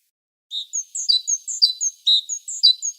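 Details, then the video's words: Great tit singing in winter, a resident bird that does not migrate: bright, thin two-note phrases alternating high and lower pitches, repeated about twice a second with a ringing, see-saw quality. "синичка дуже полюбляє співати взимку"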